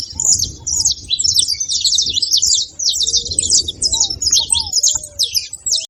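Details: A cluster of saffron finches making noise, rapid high chirps and scratchy twittering bursts roughly twice a second, accompanied by a few low curved whistles in the background.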